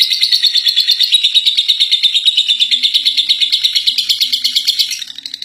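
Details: First-place contest lovebird in continuous ngekek chatter, a high, buzzy stream of rapid notes repeated about three per second, holding strong for five seconds before fading.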